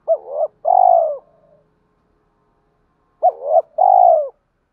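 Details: Spotted dove giving a lure coo to spur fighting and call a mate. Two matching phrases three seconds apart: a bouncing double note, then a long resonant coo fading at the end.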